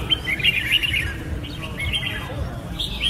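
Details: Red-whiskered bulbul (Pycnonotus jocosus) song, a quick burst of bright chirps followed by sparser sliding whistled notes, with a low hum underneath.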